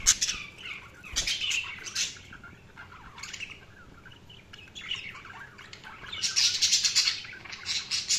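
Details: Budgerigars chirping, steady warbling chatter of short scratchy notes and squeaks, swelling louder toward the end.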